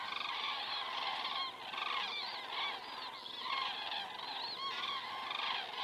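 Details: Flock of common cranes passing overhead at 19:10 on an evening in Estonia, 19 September 2017, caught by a crane cam: loud, overlapping bugling calls with clear rising and falling notes in several short bursts.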